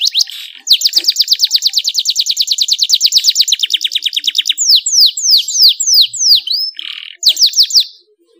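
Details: Canary song used to stimulate other canaries into lively singing: long rapid trills of repeated high notes, about three per second, shifting pitch midway, then a run of separate downward-sweeping whistles and a final short trill.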